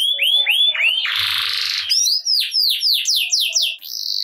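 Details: Singing canary, used to prompt reluctant canaries to sing at once: three looping whistled notes, a harsh buzzy burst, then a run of bright downward-sweeping chirps and a clear high whistle.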